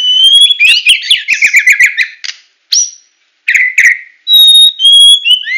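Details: White-rumped shama of the Medan type singing in full tembakan style: clear rising whistles, a rapid run of sharp repeated chirps, short pauses, then long pure high notes and buzzy phrases.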